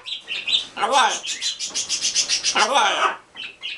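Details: Pet green-winged macaws, a pair with a baby, talking and greeting: speech-like phrases with sliding harmonics, broken up by a quick run of rhythmic pulsed notes.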